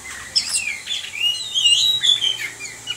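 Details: Orange-headed thrush singing sweet, rising and falling whistled phrases mixed with thin high chirps, in a fluid, meandering stretch of song.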